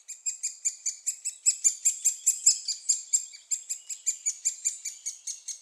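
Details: Fed juvenile great spotted woodpeckers in Staverden, Netherlands, produce a continuous high, rhythmic chatter of sharp squeaks, about three to four a second, swelling slightly in the middle.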